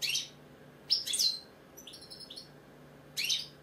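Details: British goldfinch singing: bright twittering bursts of high, tinkling notes with quick rising and falling slurs, separated by short pauses, over a faint low steady hum.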